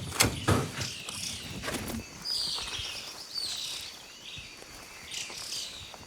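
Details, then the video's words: Antbirds following an army ant swarm along a Panama rainforest road give high, thin chattering calls, a burst of quick descending notes then scattered chirps; bicolored and spotted antbirds are present, with footsteps at the start. ">> Army ants. I can hear some antbirds. >> I can hear them."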